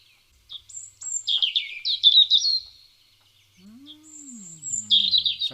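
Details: Recorded European robin song: bright, high twittering phrases with fast trills and sliding notes, a pause, then more warbling, with a low voice-like sound briefly underneath.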